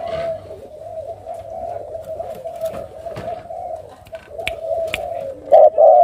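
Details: Malaysian and Thai spotted doves in breeding cages at a bird farm in Cà Mau, Vietnam, 6 September 2023, coo in low, hollow, throaty notes that run together almost without pause; faint knocks behind, a brighter note near the end.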